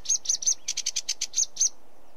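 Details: Sedge warbler giving a short chattering phrase of about a dozen clipped, high, scratchy notes in quick succession, then falling silent.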